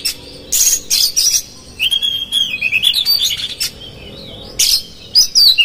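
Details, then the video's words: Oriental magpie-robin lure song meant to provoke a rival; harsh scratchy bursts alternating with a long wavering whistled phrase that climbs and dips, then more sharp high notes. "PANCINGAN Kacer GACOR seketika Buka Ekor KONSLET bongkar ISIAN KASAR agar KACER emosi"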